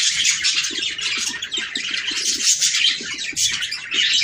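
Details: Budgerigars chattering to stimulate breeding: busy high warbling and squeaky chirps, with a faint rapid low ticking underneath for most of the clip.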